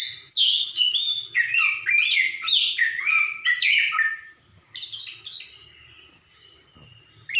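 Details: Orange-headed thrush pouring out a fast, varied song of descending whistles, trills and high twittering notes, phrases running together almost without break.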